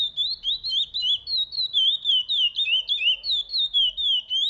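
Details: Chestnut-bellied seed finch, called curió in Portuguese, singing a fast run of clear, warbled whistled notes that slide up and down, about three notes per second, with no other sounds.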